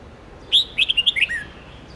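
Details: Red-whiskered bulbul singing for training young birds to learn songs: a short bright phrase of about six clear whistled notes, rising then stepping down, quiet background.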